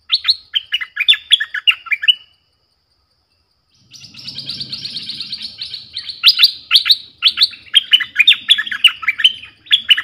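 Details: Streak-eared bulbul used as a lure for wild birds, with wild birds answering: bursts of bright chirps and slurred notes, a pause, then a dense, rapid twittering series, with a low rumble beneath.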